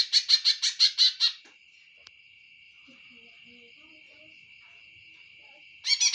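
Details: Greater green leafbird song: a fast burst of about eight loud, repeated chirping notes lasting just over a second, then a long steady high whine, and the burst starting again at the end.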